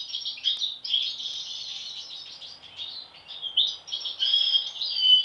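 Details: European goldfinch from a set of siblings singing a continuous jangling twitter of quick, slurred notes and buzzy chips that swells louder toward the end.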